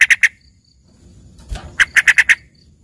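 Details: Yellow-vented bulbul trained with fill-in song said to sound like a lively greater green leafbird: two bursts of short, sharp chirps, three quick notes, a pause, then five rapid notes. Faint low rumble in the gap.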